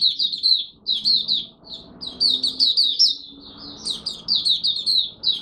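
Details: Malaysian oriental white-eye, a kept songbird called Mata Puteh, singing its first warm-up of the day: fast, high chirping phrases of slurred notes in bursts of about a second, separated by short pauses, over faint low room noise.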